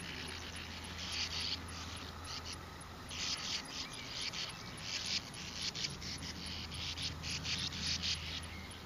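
Bank swallows give dry, buzzy, rasping chatters in overlapping bursts, as from a busy flock, over a steady low rumble.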